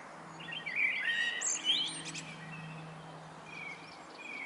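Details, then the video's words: Common starling singing on a roof, a varied run of whistled and chattering notes around the middle of the clip, with a few high squeaky notes and faint whistles afterwards over steady low background hum. "Singing Starling on the Roof"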